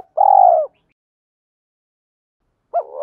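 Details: Spotted dove call used to train and lure wild birds: one loud, low, hollow coo lasting about half a second, a long silence, then the start of another coo.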